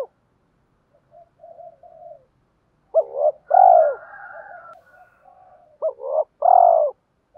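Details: A spotted dove decoy calls wild birds in the morning: low soft murmurs, then two phrases of clipped paired notes ending in a round, drawn-out, falling cooo.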